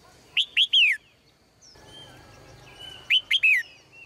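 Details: Caged female bird singing melodiously in the morning: two matching phrases of three piercing, downward-sliding chirps, roughly three seconds apart, with gentle whistled notes in between.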